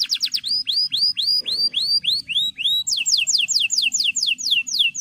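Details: Singing male canary used to train young birds: quick high notes, then a series of arched whistled slurs about twice a second, switching to a run of steep falling notes.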